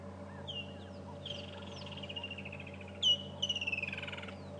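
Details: Woodland Kingfisher giving a sharp high note then a fast descending trill, twice within seconds, over a low engine hum; morning chorus during a January safari drive at Djuma/Arathusa game reserves near lions, not an alarm call.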